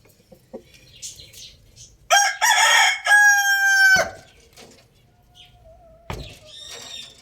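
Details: Loud rooster crow lasting about two seconds, a rasping start rising into a strong held note that breaks off sharply, with soft clucking before it and a brief faint crow at the end.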